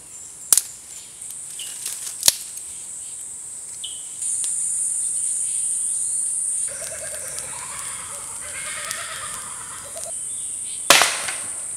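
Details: Kookaburra in Far North Queensland, Australia, giving a few seconds of raucous, cackling chatter over a steady high insect drone, with scattered clicks and knocks nearby.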